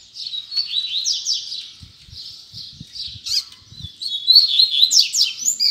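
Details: Double-collared seedeater kept in captivity delivering a Tui Tui Zel Zel style song: continuous high twittering and slurred whistles, some sharp upward sweeps, growing louder toward the end, with soft low thumps in the middle.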